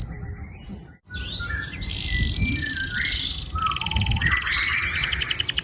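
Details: Canary singing a long roll to encourage young birds to sing, partly masked by hiss at first, then buzzy, metallic trilled tours at high pitch changing every second or so.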